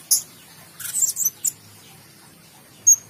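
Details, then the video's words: Blue-crowned hanging parrot (serindit) giving very high, thin, sharp chirps: a lone note, a quick burst of several, then two more spaced notes, over a quiet background. "Serindit nyerabung"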